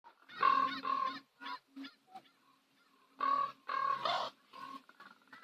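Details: Common ravens at sunset on Nose Hill, Calgary, giving harsh, nasal calls in two clusters of three or four notes, separated by a brief quiet stretch, over a steady low hum.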